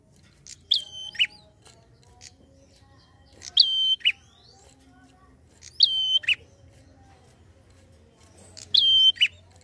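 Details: Fast 'ngalun' prinia song for provoking other, untrained prinias: four matching phrases roughly every two to three seconds, each a crisp high note, a level drawn whistle, then a short lower falling note. Faint low hum.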